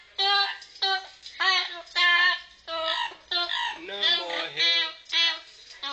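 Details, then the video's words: Pet parrot singing the Brazilian children's song "Atirei o pau no gato" in a strikingly human-like voice: about nine clear, harmonic sung syllables in short bursts, some wavering, with a brief lower murmur midway; otherwise quiet background. "papagaio cantando " atirei o pau no gato ""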